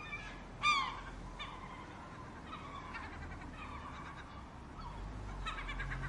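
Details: Seagulls: one loud, sharply down-slurred squawk stands out early, followed by softer scattered calls in the background of a busy gull gathering.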